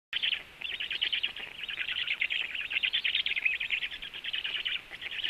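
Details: Black stork nest where the female feeds the storklets with frogs; a continuous stream of rapid, high, rasping chattering notes runs almost without pause.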